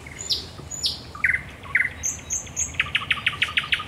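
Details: Singing at night, a thrush nightingale at Raszyn Ponds, Poland, on 10 May 2021 gives varied whistled and chirped phrases, then ends in a quick string of about ten repeated clicking notes.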